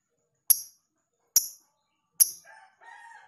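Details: Lovebird performing ngekek singing with closely spaced pauses, used as a tutoring recording; three sharp, high, clipped chirps about a second apart, followed by a soft, lower, wavering tonal sound.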